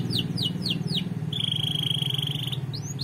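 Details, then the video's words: Canary singing for song training: quick descending whistled notes, then a long, even high trill lasting over a second, over a steady low rumbling hum. "Canary Bird Training I Most Powerful Canary Bird Song Singing Training"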